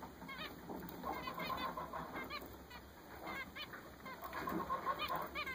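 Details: Recently purchased zebra finches give rapid, uneven series of nasal, toy-trumpet-like beeps, several birds overlapping throughout, over a low hiss.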